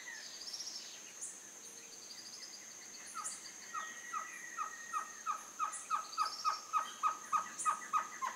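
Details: Baird's trogon at Casa Alta Vista gives a quickening series of hollow, downslurred notes, about fifteen in four seconds, with a steady high insect whine and faint twitters of other birds behind.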